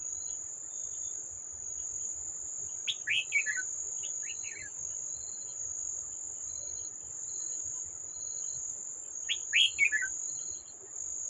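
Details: An old wild red-whiskered bulbul at a trap, recorded 18 July 2024, gives two short bursts of bright, tumbling notes about six seconds apart, over a steady high insect drone and faint rhythmic chirping.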